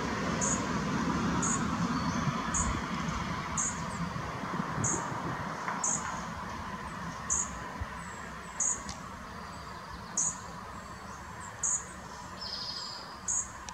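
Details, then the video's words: A sleepy fledgling Dark-eyed Junco, recorded 5 June 2017 at 12:23, gives thin, high, brief chip calls about once a second over a steady background hum. "sleepy calling fledgling Dark-eyed Junco"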